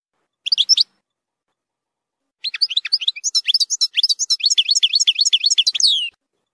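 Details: European goldfinch in zilzal-style song for young birds to learn from: a short burst of chirps, a pause, then quick, varied tinkling twitters, about four notes a second, in clean quiet surroundings.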